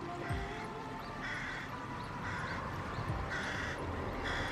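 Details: Carrion Crow seen along a riverside walking path, giving four harsh, hoarse caws about one second apart, each short with rough upper overtones, over soft background music and a low steady rumble.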